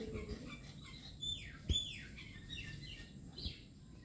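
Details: Plaintive cuckoo in Assam, India: a run of about five clear whistled notes, each sliding steeply downward, spaced roughly half a second apart, with one sharp click and faint other birds in the background.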